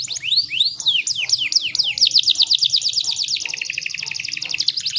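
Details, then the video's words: Female canary sound used as a lure so males start singing: looping upward whistles and falling sweeps, then a dense, shimmering fast trill, with a soft low background hum. "PANCINGAN KENARI BAHAN AGAR CEPAT BUNYI"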